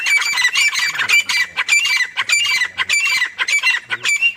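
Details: Harsh squawking notes repeated almost continuously from a female grey francolin (dakhni teetar) on a mango farm, rising and falling in quick, uneven pulses with a faint low hum underneath.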